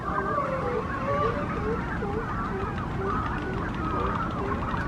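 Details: Noisy morning scene at a Brandt's cormorant nesting colony in Monterey with young birds; several overlapping wavy calls, some lower slurred notes repeated about twice a second, set against a steady deep rumble.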